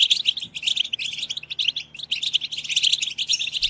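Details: European goldfinches in a collective 'batbata' twitter used to stimulate singing. Clear, ringing chirps repeat in quick clusters, several birds overlapping in high, liquid twittering with little pause.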